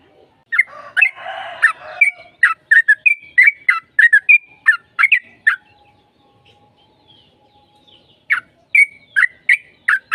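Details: Lure song of a sooty-headed bulbul in fighting style: a burst of harsh chatter under bubbly whistles, then a lively series of quick warbled notes, a quiet stretch with a faint steady tone, and renewed chirping.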